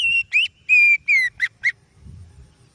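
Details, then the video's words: Oriental magpie-robin (kacer) singing to lure other birds: a series of clear whistles, some level and some falling, ending in two short rising notes, with low rumble afterward. "Suara Burung Kacer Yang Sangat Indah,Cocok untuk Pancingan"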